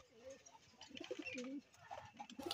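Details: A pigeon of a breeding pair that has laid two eggs gives soft, low, throaty coos in a small indoor space.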